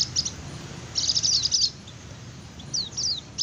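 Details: White-eye in the rapid 'ngecir' singing style, used as a lure for wild birds: three short bursts of very high, fast chattering notes and thin downslurred whistles separated by quiet gaps, with a faint low hum beneath.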